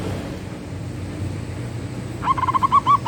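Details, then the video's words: Zebra dove or perkutut giving manggung song: after a quiet, noisy stretch, a brief fast burst of about seven soft cooing notes near the end. "Suara Burung Perkutut Manggung || Zebra Dove"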